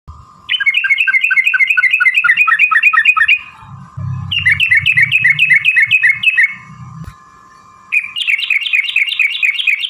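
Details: Yellow-vented bulbul giving a long rattling song, used to provoke other bulbuls into singing: fast chattering runs of bubbly notes lasting several seconds, separated by short pauses, over a steady background hum with faint low rumbles.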